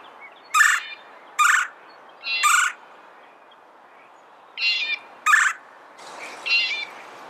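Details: Red-bellied woodpecker calling repeatedly: six short, raspy, rolling notes in uneven groups over several seconds, against a quiet background.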